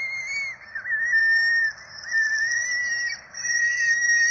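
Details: Peregrine falcon quadruplets at their nest in Rome, April 2024, calling during feeding: a sustained thin whistled squeal that wavers slightly, breaks briefly, then carries on almost without pause.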